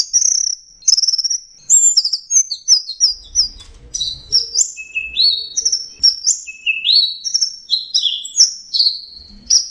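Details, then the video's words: Energetic 'teler' training song with varied fill phrases: a long run of very high, clear whistled notes, many rising then falling, in steady rapid succession. "Masteran Punglor Teler Gacor Full Isian Kombinasi Tembakan Cocok Buat Masteran dan Pancingan Burung"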